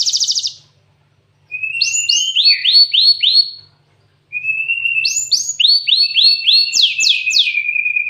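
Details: Gelatik watu, the cinereous tit, in canary-fill song: a thin rising whistle leading into a series of quick down-slurred whistled notes, the phrase repeated twice after a brief pause.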